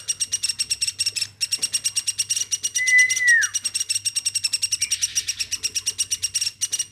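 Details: Woodpecker reared by hand since it was a baby, producing fast scratchy calls around three per second, with a level whistle that drops away in the middle of the series.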